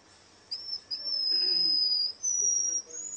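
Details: Contest song of a Russian canary: one long, steady, high whistled tone held for nearly three seconds, briefly broken and resumed slightly higher, over faint low background noise.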